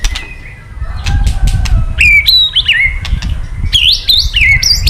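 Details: Male white-rumped shama singing after being provoked by recorded calls: loud whistled notes, some sliding and stepped, with sharp clicking rattles early on and low background rumble.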